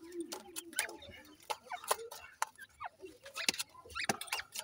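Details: Grey francolin chicks in a captive breeding setup, giving short clucking and chirping notes in quick irregular bursts, mixed with sharp clicks and rustling from the enclosure.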